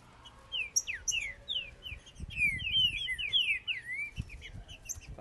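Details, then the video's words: Several Green-winged saltators (Saltator similis) in a singing contest give loud, rich whistled phrases of slurred notes that overlap quickly, with soft low thumps and rustling beneath. "É MUITO CANTO! QUE DISPUTA TOP DE TRINCA FERRO!"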